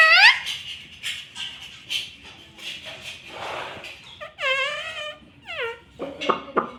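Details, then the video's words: Talking green ring-necked parakeet kept as a pet, repeating "mummy": soft muttering chatter followed by two clear, whining, rising-falling harmonic syllables and a few sharp squeaks. "mitthu voice - bolta tota very cute - green parrot talking"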